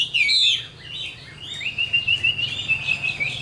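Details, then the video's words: A caged Chinese hwamei, mature and caught from the wild, gives one loud whistled flourish followed by a long, quieter warbling trill of wavering notes. "Tam Hoàng, Tố Chất Giọng Hay. Chim Chuẩn Già Rừng"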